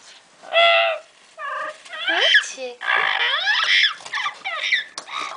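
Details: Excited indoor Double Yellow-headed Amazon parrot, a pet female, calling from her favourite hiding spot in an open cabinet: loud harmonic squawks and sliding, talk-like warbles in quick irregular bursts.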